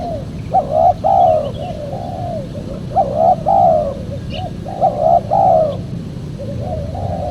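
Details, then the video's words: Spotted dove cooing, recorded for luring wild doves: three phrases about two seconds apart, each a brief opening note then a longer, slurred, falling coo. Softer trailing coos follow each phrase over a steady low-frequency background noise. "PEMANGGIL BURUNG TEKUKUR SUPER JERNIH"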